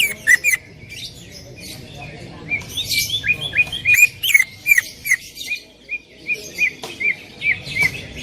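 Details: Greater green leafbird (cucak ijo) singing loudly and persistently in 'tembakan' style for a training recording; an irregular stream of sharp chirps, short whistled slurs and scratchy bursts, with a faint background hum.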